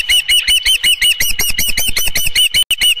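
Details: Osprey at its nest at Dunrovin Ranch on 15 July 2018, 7:55 PM, as a headless fish is delivered; rapid, insistent high chirps repeated about two or three times a second, piercing and slightly uneven.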